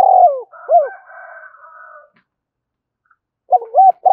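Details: Decoy spotted dove cooing to call in other doves: falling throaty coos and a steady, softer tonal drone, then a short silence and the start of another hollow coo phrase.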